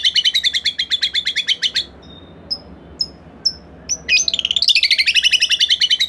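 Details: White-rumped shama song played to coax another shama to sing: a rapid rattling trill of about twenty even chirps, a quiet gap with a few soft high notes, then a dense high warbling trill; steady background hiss.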